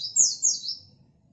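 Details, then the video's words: A white-eye (pleci), a local Indonesian bird, gives two quick, very high, thin chirps that slide down and run together over about a second, then falls quiet over faint low background noise; the chirping is used as bait to provoke other white-eyes. "Pleci bird singing/Di jamin emosi Pleci lokal Gacorrr"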